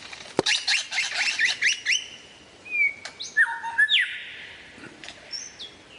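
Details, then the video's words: Lyrebird giving a varied imitative song: a dense run of chattering, warbled notes, followed by long level whistles, upslurs and a drawn-out steady tone. "suara variasi burung lyrebird"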